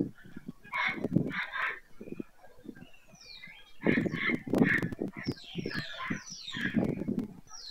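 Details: White storks at Madrigal de las Altas Torres, Spain, 25 July 2024, season's end: honking, raspy bursts in clusters. Thin, high, falling screeches from other birds pass over them.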